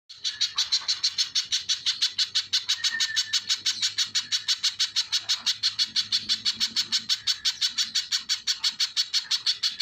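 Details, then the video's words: Little spiderhunter singing vigorously: a long, steady run of sharp, high chipping notes, about three per second, with a brief whistled note from another bird near the start. "Burung pijantung pisang GACOR | suara asli tajam dahsyat"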